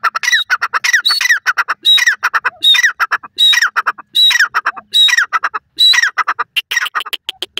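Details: Grey francolin calling steadily, each phrase a thin whistled note then a falling harsh squawk and a string of clipped notes, repeated about every 0.8 seconds.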